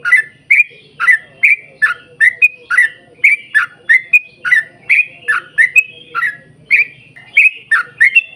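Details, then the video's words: Energetic long rapid-fire singing by a yellow-vented bulbul, meant to coax other bulbuls to sing: dense bubbly warbles and rising whistles pouring out almost continuously, about three per second. "trucukan gacor ROPEL PANJANG buat pancingan trucukan agar bunyi"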